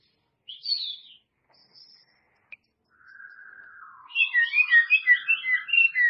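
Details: White-rumped shama with a few scattered high whistles and a soft sustained tone, breaking into a fast, dense burst of varied chirping and whistled notes.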